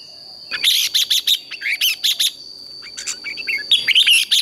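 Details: Red-whiskered bulbul in training, morning competition singing: loud bursts of bright, chirpy whistled notes in quick groups, a pause, then a more varied warbling run and a final fast cluster, with a steady thin high whine throughout.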